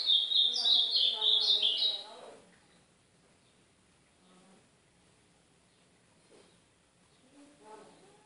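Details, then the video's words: Ultramarine grosbeak singing in the northeastern Brazilian style, played as training song for a young bird: a two-second burst of high, rapid, warbled notes stepping up and down, then near silence with faint low chirps. "canto do AZULÃO DO NORDESTE"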